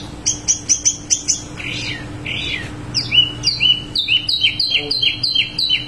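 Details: Wambi mini singing in rolling style: five crisp high double notes in a row, a short buzzy passage, then a steady run of sharp downslurred whistles repeated evenly, with a low hum beneath.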